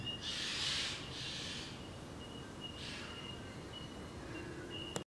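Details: White-winged chough (Corcorax melanorhamphos), one of a noisy group in a residential neighbourhood, gives three harsh, hissing rasps about a second apart, over a faint steady high whine and low background rumble.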